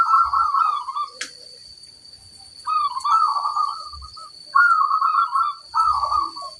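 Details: Local zebra dove singing with a big 'kung' tone in a training recording: three clear, bubbly, trilled coo phrases, each about a second long, separated by pauses, with a faint steady high hum.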